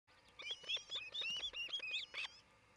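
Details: Osprey pair at their newly built nest near Charlo, Montana, on a nest camera, 27 June 2018 just before noon: a rapid run of about a dozen sharp, high whistled chirps, each slightly rising, over faint outdoor background.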